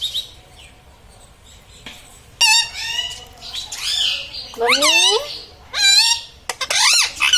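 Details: Talking pet parrot, said to repeat "mummy papa" and "radhe radhe", gives a series of rich, warbling, up-and-down syllables in quick clusters after a quiet opening, each phrase bright and strongly harmonic.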